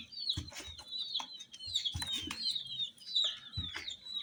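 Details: Brightly coloured chicks with little dolls give a rapid run of high, slurred, falling peeps that overlap one another, with scattered soft bumps and knocks underneath.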